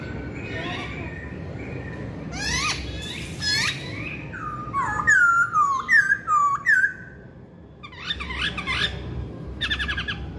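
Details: Varied hwamei song: scattered sharp downslurred chips, then a run of loud whistled notes that wobble up and down, followed by more quick falling chips over a low background hum.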